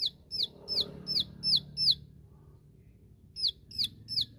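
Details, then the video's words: Bar-winged prinia giving its 'tembakan' shooting song to call out rivals: six rapid high downslurred notes, a gap of over a second, then three more, over low murmuring background noise. "Suara Tembakan Ciwah Memanggil Lawan .Ciwah Lain Pasti Ikut Nembak"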